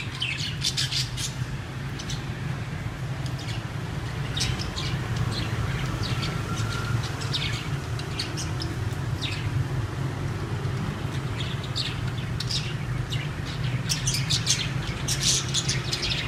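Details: Budgerigars (Melopsittacus undulatus) chatter as a busy aviary flock, with quick scratchy chirps and squawks over a steady low hum.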